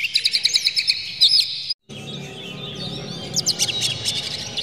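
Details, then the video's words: Oriental magpie-robin provoking song, harsh and clear: quick repeated chirps and high whistles, a brief silent cut, then more layered chirping over a low murmuring background. "PANCINGAN KACER Buka Ekor KONSLET bongkar MATERI KASAR JERNIH agar KACER emosi"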